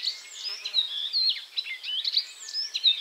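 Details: An icterine warbler at 51.901951, 20.298842 sings a fast, unbroken jumble of high, varied chirps, slurred whistles and scratchy notes. It moves to a new spot, catches a caterpillar, then continues singing.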